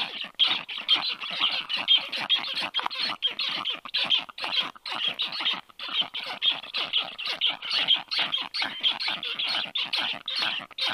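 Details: Black stork chicks at the nest, 4 July 2022 at 1:30 p.m., give hoarse, wheezy, rasping begging and defensive calls in a fast, nearly nonstop stream, about two bursts a second, as a strange adult lands above the nest.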